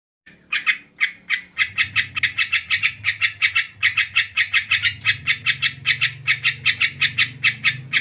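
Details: Sooty-headed bulbul, locally called krucuk or kocuk, singing energetically: bright chirpy notes around a steady pitch, repeated rapidly about four times a second with little pause, over a low steady hum.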